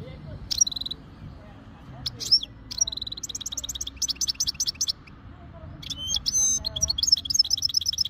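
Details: European goldfinch from Jijel, Algeria, ready to mate. Begins with isolated buzzy rattles and sharp chirps, then builds into longer tinkling, twittering runs of rapid high notes, with faint low background noise.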